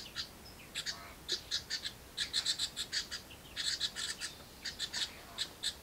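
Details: House wren brood begging for food brought by the parents in a birdbox: short, shrill, rasping chips in quick series with brief pauses between bursts.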